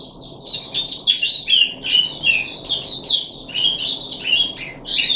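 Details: Captive puff-backed bulbul on the third day of deworming, 14 July 2021, sings a quick chain of high, sweet slurred notes and chirps, steady and unbroken.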